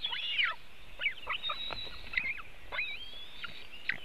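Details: At a webcam-watched White-tailed eagle nest in Latvia, 24 June 2018, during afternoon feeding of the eaglets. Piercing whistled notes slide and drop in quick bursts, some strident, with soft background noise.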